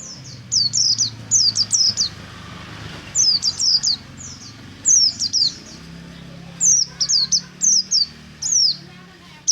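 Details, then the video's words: A pleci (white-eye) of the buxtomi type sings ngalas-style in the morning as a lure for other white-eyes. Rapid groups of two to four sharp, high, downslurred notes come in bursts over a steady low hum and some hiss. "BURUNG PLECI NGALAS DI PAGI HARI"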